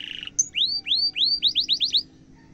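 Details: Canary song used as a training model for young canaries: a short buzzy tone, a brief high note, then a sequence of upward-curving whistles that speed up from slow to rapid before stopping.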